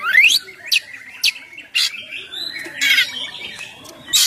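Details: Kacer, the oriental magpie-robin, in ngeplong song used as a lure to prompt other birds to sing: a rising whistle opens, then sharp scratchy notes and a sustained wavering high whistle, with loud chattering near the end.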